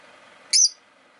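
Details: Rosy-faced lovebird kept as a pet, giving a single brief, harsh high chirp against a faint hum of background noise.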